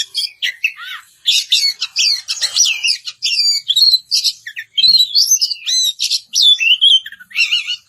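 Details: Oriental magpie-robin in loud ngeplong style calling out a rival: rapid, varied song of clear up-and-down whistles and dry rattling notes in busy phrases, with one brief pause near the start.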